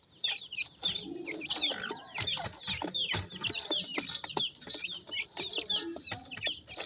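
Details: A mother Mikado pheasant brings out her babies to feed; the young keep up a rapid chorus of high, drooping peeps, several per second, among pecking knocks and rustling.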